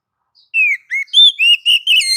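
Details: Oriental magpie-robin tutor song used to make other magpie-robins answer: clear whistled notes around mid-high pitch, some slurred down and others rising, in six quick phrases after a short pause.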